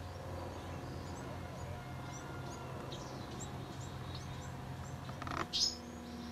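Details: A just-fledged Bewick's wren chick, the fourth of the brood still in a boat shop, calling for its mother with faint, high chirps every half second, ending in a louder raspy note, over a steady low hum.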